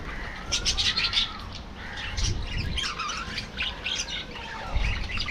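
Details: Aviary colony of budgerigars giving scattered chirps and short squawks over a low rumbling background, with brief warbled notes rising and falling between louder bursts.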